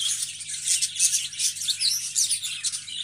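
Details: Budgerigars in a dense, unbroken high chatter of overlapping scratchy warbles and chirps, with no pauses between the notes.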